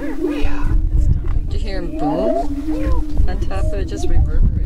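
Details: Greater prairie-chickens on a spring mating lek near Crookston, northwest Minnesota, 27 April 2013, drone a steady low hollow booming chorus with rising and falling whoops and cackles from other males during their mating dance.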